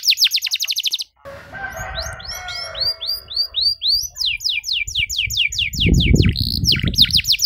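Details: Canary in full song, a long-phrased, richly patterned style meant as a model for young canaries, pours out rapid rising whistled sweeps and rolling trills, pausing briefly, then resuming with fast repeated notes over low background rumble.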